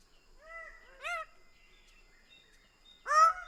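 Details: Greater bird-of-paradise giving a softer drawn-out nasal note, then a louder arched honk, and a third loud call two seconds later, with faint bird chatter behind.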